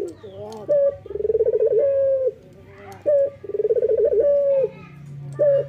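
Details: Male local Barbary dove in morning song. Each phrase opens with a sharp short note and runs into a rapid trembling coo, then a sustained tone. Phrases repeat about twice in six seconds, with a faint low hum behind.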